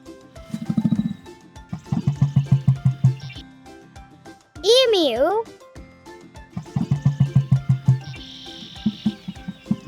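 Emu giving deep, thudding drum-like pulses, about three per second in runs of eight or ten. A voice speaks the name in between, over light background music.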